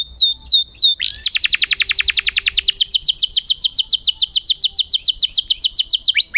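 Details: Canary in full, lively song, used as training material for other canaries: a few falling whistles, then a long, even, rapid trill of high downswept notes lasting five seconds.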